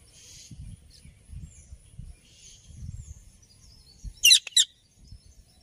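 An Alexandrine parakeet gives two loud, harsh screeches in quick succession after fainter high calls, over a low rumbling background.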